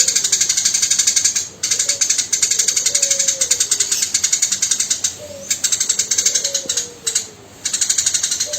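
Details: Tame Eurasian tree sparrow chattering hard and fast as tutor audio for songbirds: near-constant harsh pulsed rattles with few pauses, and soft falling whistled notes from another bird beneath.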